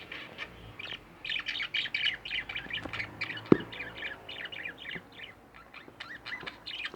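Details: Pet budgerigars, two birds kept at home, keep up a steady busy warble of short squeaky chirps, with a single sharp knock partway through.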